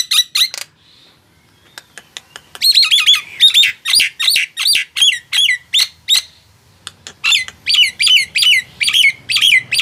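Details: Nias hill myna song, used to coax mute mynas into singing: a few sharp notes, a brief pause, then steady bursts of harsh, ringing squawk-whistles, each dropping in pitch, about three per second.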